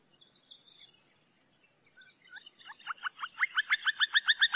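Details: Campo flicker song: a few faint scattered notes, then a loud series of sharp, even notes that repeat about four times a second and grow steadily louder toward the end.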